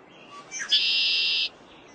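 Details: A male Red-winged Blackbird gives its spring territorial display song in northeastern US wetland habitat during the breeding season: a couple of quick, sharp introductory notes, then a long, harsh, buzzy trill lasting nearly a second.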